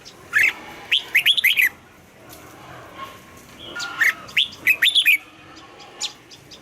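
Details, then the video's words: Morning song of a red-whiskered bulbul during voice training, in the double-note mature wild style: clear rising and falling whistled notes in lively phrases, repeated twice with a short pause between, then a faint final note. "Luyện giọng cho chào mào hót sáng, ép chào mào hót âm kép già rừng hay tuyệt!"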